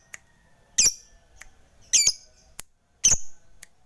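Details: Fighter lovebird calling to provoke rivals into singing, uttering loud, rasping high squawks roughly once a second, mixed with fainter clicks and short ticks in a quiet room.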